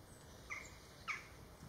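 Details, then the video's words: A common chaffinch, alert to other species' alarm calls and watching its surroundings, gives two short, sharp call notes about half a second apart against a soft background hiss. "Pinson des arbres - Chaffinch"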